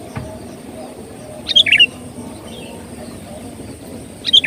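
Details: Sooty-headed bulbul song used as a bird-catching lure, heard as a brief burst of liquid chirped notes followed, almost three seconds later, by a second similar phrase over steady low hiss.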